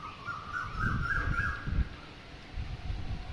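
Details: A common (Indian) myna on a coconut tree gives a short run of wavering, slurred mid-pitched notes lasting about a second, over a steady low rumble of wind.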